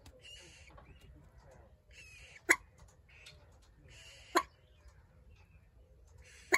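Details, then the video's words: Common moorhen chicks give sharp, loud peeps about every two seconds, over softer high twittering and rustling in the background. "Moorhen Babies"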